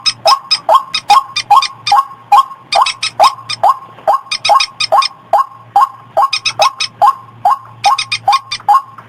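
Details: White-breasted waterhen calling on a lure track for rice fields and streams: rhythmic, rough croaks about twice a second, overlaid with frequent runs of fast, high, rattling clicks.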